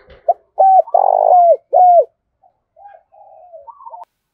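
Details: Decoy spotted dove calling eagerly to rouse wild birds: one deep phrase of three throaty coos, the middle one drawn out and rolling, then a few soft, faint trailing notes in near silence.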